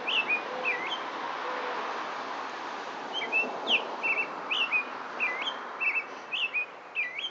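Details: An American robin sings from a roof in Stouffville, Ontario: a run of short, clear whistled phrases that rise and fall, about two each second, over a steady background hiss.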